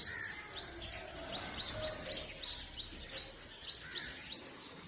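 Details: Purple sunbird singing in spring, north-west Pakistan forest. A regular string of about ten clear, high upslurred chirps, evenly spaced roughly every third of a second, over faint background noise.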